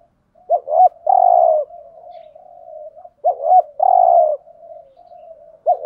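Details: Decoy spotted dove calls to draw in wild doves, giving two phrases of two short clipped notes plus a long rough coo, each trailing off in a soft murmur.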